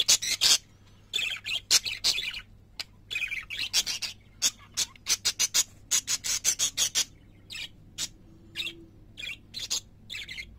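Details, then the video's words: Pet parakeets in lively song, a long stream of rapid, loud chirps and buzzy twitters, briefly pausing before resuming in quick clusters. "Singing Parakeets"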